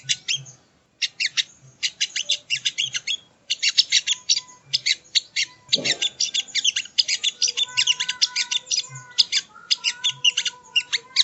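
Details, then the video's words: Sogon, also named sogo ontong, in a long chattering sequence of crisp, rapid high chips in dense bursts for eleven seconds, with a few thin whistled tones and a low rumbling sweep midway, as training audio. "Masteran Burung Sogon ( Sogo Ontong )"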